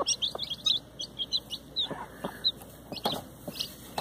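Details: Hen with her chicks: rapid, high, chirpy peeps from several chicks, almost one a second, broken by a few low clucks from the hen.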